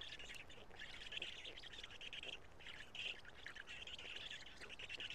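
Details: Black stork chicks in a nest at Karula, Estonia, calling as an adult male arrives to feed them, around late morning in early June; harsh, raspy squawks repeated in bursts roughly every second, over steady background hiss.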